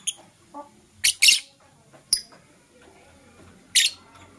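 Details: Lovebird calls in the morning, Blue Opaline and Parblue Euwing Opaline varieties: a handful of loud, piercing, squawky chirps, two close together, then single shrill notes spaced a second or more apart over quiet background.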